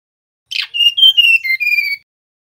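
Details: Male mangrove blue flycatcher giving one song phrase: a harsh opening burst, then five or six pure whistled notes rising slightly and then falling lower, ending in a drawn-out final whistle.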